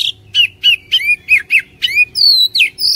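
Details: Oriental magpie-robin song played to start a lazy caged bird singing: a steady sequence of about ten loud, clear whistled notes, mostly down-slurred, ending on higher drawn-out whistles.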